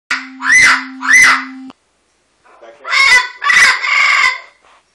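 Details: A parrot screaming at Obama: two loud, harsh screams rising and falling in the first two seconds over a steady low hum, then a brief pause and a longer burst of raspy, grating screeches.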